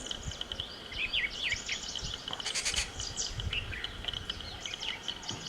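Rufous treepie giving harsh, nasal, bleating notes with a loud rasping burst midway, over a steady high insect-like drone.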